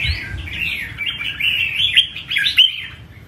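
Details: Red-whiskered bulbul kept as a cage songbird, performing a showy song: a continuous rapid warble of chattering, sliding whistled notes running without pause, some louder sharp accents near the end.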